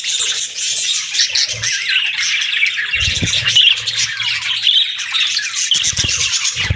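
Budgerigars chatter nonstop in a dense, high warble of squeaks, chirps and scratchy trills, several birds overlapping, with a few low thumps underneath.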